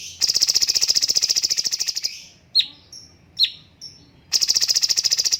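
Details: Cucak cungkok bulbul for training other birds, opening with a long rapid rattling trill, then a few sharp downslurred chirps in silence, and closing with another fast rattling trill.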